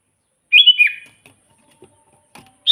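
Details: A single bubbly whistled phrase from a sooty-headed bulbul, kept to lure wild birds for trapping; a high clear note slurs downward into a warbled tail, followed by near silence and faint clicks.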